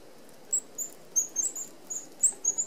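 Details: Several Red-browed finches feeding at a mesh open-aviary feeder give quick, thin, high whistled peeps, roughly a dozen in under three seconds, evenly pitched and brief.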